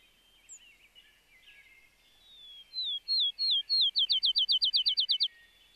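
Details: A field sparrow singing on its territory in a regenerating clearcut in Maine in 2011 gives a few sweet, slurred whistles that speed into a rapid, even trill like a bouncing ball, after another bird's faint twittering.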